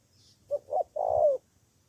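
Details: Cà Mau spotted dove kept as a fighting decoy, answering rivals with one phrase: two short soft coos followed by a longer, slightly falling coo.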